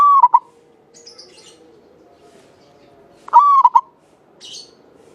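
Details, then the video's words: {'caption': 'Singing zebra dove, a local Javanese bird with a long clear voice: two bright trilled coo phrases about three seconds apart, with scratchy high chirps from small birds in between.'} "Perkutut lokal jawa gacor buat pancingan suara panjang bening"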